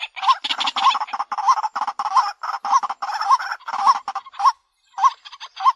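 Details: White-breasted Waterhen lure call, a recording meant to draw birds closer. A hooked, mid-pitched note repeats about every half second over dense, overlapping chattering and croaking notes that fill most of the stretch.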